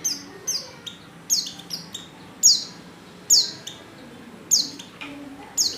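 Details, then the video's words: Female white-eye calling a male while in breeding condition, giving a busy, irregular run of quick high downslurred chips, some paired, a little over one a second. "Burung | Pleci | betina | Birahi Memanggil jantan"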